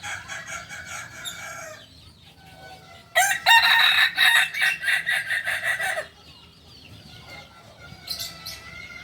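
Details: A Kokok Balenggek rooster, West Sumatran singing chicken, gives a tiered crow of about eight rapid stepped syllables over three seconds, preceded by another crow fading out and followed by distant bird calls.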